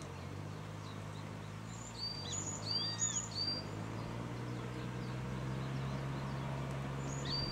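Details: Grey-faced buzzard, one of a pair just back at its Kanagawa, Japan breeding site on 13 April 2013 around 11:11, gives a few high, slurred rising-and-falling whistles over distant traffic rumble and faint small-bird chirps.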